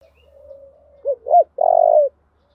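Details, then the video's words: Spotted dove in a fighting call: a quiet low drawn-out hum leads into two short arched coos and a long, even, slightly descending coo, with a faint low rumble underneath. "Tiếng chim cu gáy thúc đấu, cu gay kich boi nhanh noi gù"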